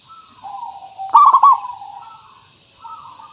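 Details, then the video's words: Local zebra dove singing to lure other birds into calling: a soft low coo rises into one loud, rapid rolling trill of coos, then fades into gentle drawn-out notes. "Suara Pancingan Burung Perkutut Pikat Paling Bagus Supaya Bunyi"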